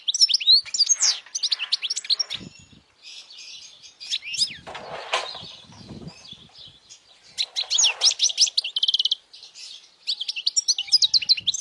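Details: European goldfinch singing loudly as a model for young goldfinches and to attract females; long stretches of fast, jumbled high twittering and trills, with a few low thumps and rustling sounds between phrases.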